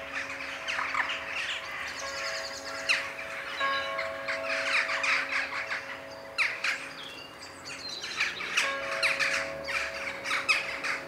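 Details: A flock of western jackdaws (Coloeus monedula) gathers in its daily evening-sky ritual over Ringenberg, Germany, giving many overlapping short, sharp 'tchak' calls. A steady low drone runs underneath, and the 19:00 Protestant church bells ring.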